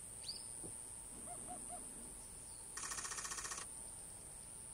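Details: Wild Eurasian hoopoe giving its breeding song on Ishigaki Island in mid-April: three soft, hollow low hoots in quick even succession. A steady high cicada hiss runs throughout, and a rapid camera-shutter burst follows the hoots.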